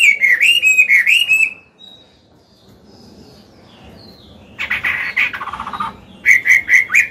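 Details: Chinese hwamei, an old wild-caught bird with a forest-style voice, singing to train and stimulate other caged birds: loud whistled phrases and rapid repeated notes in bursts, separated by a quiet gap.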